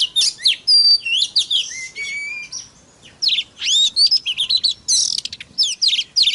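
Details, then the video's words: White-rumped shama song used to provoke other shamas into singing: rich, fast varied phrases of whistles, slurred notes and buzzy trills, with a pause near the middle before a dense burst of rapid notes resumes. "PANCINGAN- BURUNG KACER TERBAIK AMPUH MERANGSANG EMOSI KACER LAIN BIAR TAMBAH GACOR"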